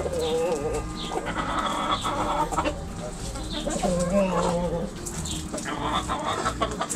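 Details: Backyard roosters and hens pecking and scratching; a flock's overlapping harmonic clucks and drawn-out croons, some wavering, come in irregular bursts over low steady hum.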